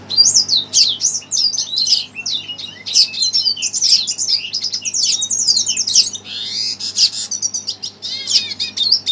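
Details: Excited by a played recording, a red siskin pours out a long, dense, high twittering song with fast trilled and buzzy passages.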